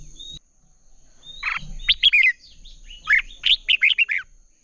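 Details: Red-whiskered bulbul competitive singing used as a lure: a short opening whistle, then two bubbling phrases of quick, rising-and-falling chirps, over a faint constant high hum.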